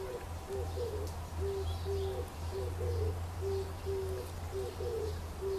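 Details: Oriental turtle dove calling from a tree in Kyoto Imperial Garden, May 2014, among bright fresh greenery. Low, hollow cooing notes form a repeated rhythmic phrase, sounding again and again over a steady low hum. Faint distant birds are also heard.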